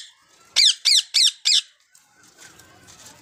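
Four harsh, shrill screeches from a rose-ringed parakeet come in quick succession, about three per second, followed by faint background noise in a small room.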